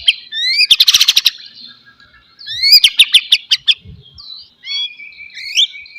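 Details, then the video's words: Oriental magpie-robin (murai batu) song played to prompt a silent, lazy bird into singing: bursts of rapid clicking and chattering notes alternating with rising and falling whistles, separated by short pauses. "MURAI BATU BENGONG,, DIEM .//. LANGSUNG RESPON DENGARKAN KICAUAN INI"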